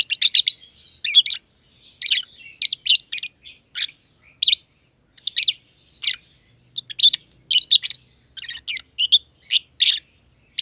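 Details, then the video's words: Aviary lovebirds, a young green personata and a green pied personata, chirping for a long spell; piercing raspy chirps in clusters of two or three, with short gaps between groups and occasional quick stuttering runs. "Lovebird Chirping Sounds - Green Personata & Green Pied Personata"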